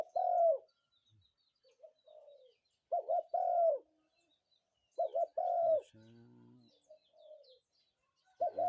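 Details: Morning calls of a spotted dove: loud mellow coo phrases, a double note and then a long sustained coo, repeated about every two to three seconds, with softer low coos in between and a brief low rumble.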